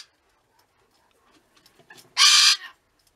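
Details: Pet rainbow lorikeet at home giving one loud, harsh, broadband scream lasting about a third of a second, preceded by faint soft chatter and small knocks.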